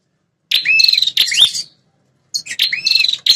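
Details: Calls of the prenjak kepala merah, a territorial fighting prinia, used as a lure. Two similar phrases of harsh buzzy notes, each with a curving whistled tone underneath, separated by a second of silence.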